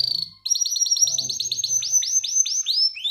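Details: Male canary, ready to breed, calling to a female in ngerek style. Loud, rapid trills run as a string of quick descending sweeps that speed up and repeat, with a faint low hum underneath.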